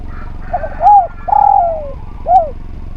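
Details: Spotted dove in energetic, melodious song, used for training other birds: a few short low notes, then an arched cooing note, a long drawn coo sliding downward, and a final arched coo, all mellow and hollow.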